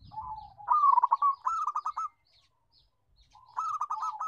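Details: Local zebra dove with a loud, melodious voice giving a soft coo that runs into a quick bubbling trill of clipped notes. A second trilled phrase follows after a short silence.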